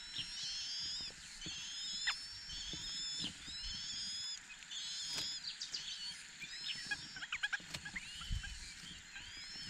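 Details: A Chinese hwamei pair raising their four chicks: a dense series of high, thin whistled and chirping notes repeated in short phrases, with rustling and low thumps in the background.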